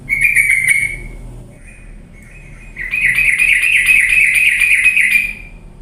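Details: Sooty-headed bulbul, played as a lure to stir lazy birds into energetic singing: a short grating burst, a couple of faint notes, then a longer rapid sequence of buzzy pulses at roughly three per second.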